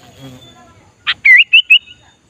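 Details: Sooty-headed bulbul luring wild bulbuls during trapping practice: one crisp note, then a fast phrase of three clear whistled notes, each sliding up, after a soft low murmur.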